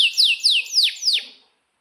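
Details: Canary singing vigorously, used as a master song for young birds. Five clear, loud downslurred whistles are repeated about every quarter second, then fade into silence.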